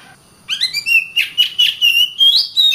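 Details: Oriental magpie-robin (kacer) song used as a masteran model for training other birds: a rising whistle followed by a quick run of about ten sharp, rhythmic chirping notes sliding gradually higher in pitch.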